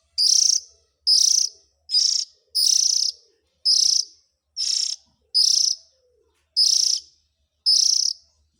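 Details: Calls of Oriental magpie-robin young used as a lure for the parent birds: nine loud, buzzy, hissing rasps in quick succession, slightly irregular, with faint low clicks in the background.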